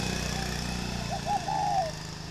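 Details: Spotted dove kept at a breeding farm near Hanoi in northern Vietnam gives a single phrase, two quick notes and a drawn-out slurred coo, above a low engine-like rumble.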